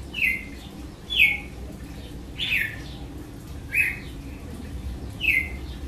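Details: Red-cowled cardinal singing in the açoite style: five short, slurred notes, each falling sharply in pitch, spaced roughly one to one and a half seconds apart over a low background hum.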